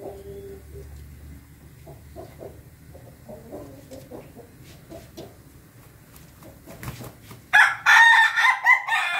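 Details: Ayam Ketawa chicken crowing, recorded 20 May 2024; soft scattered clucks for about seven seconds, then a loud, broken crow of rapid stuttering syllables that rise and fall in bursts until the end.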